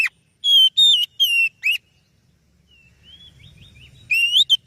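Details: Oriental magpie-robin singing, a very beautiful song suited as a lure for other birds: four strong whistled notes in quick succession, a soft quiet stretch with faint low background rumble, then a rising burst of clear whistles.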